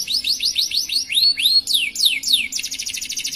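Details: Canary singing a long, lively Indonesian-style song with elaborate variations: rapid series of high rising whistled sweeps, then longer falling slurs and a fast buzzy trill, all bright and high-pitched, with a faint low hum beneath.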